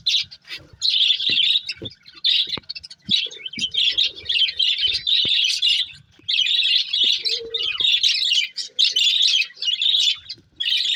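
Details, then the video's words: A breeding pair of budgies chirps continuously: steady streams of bright, buzzy high chatter in repeated bursts with brief gaps, plus occasional faint clicks and a low squeak. "Cute Budgies Chirping Sounds"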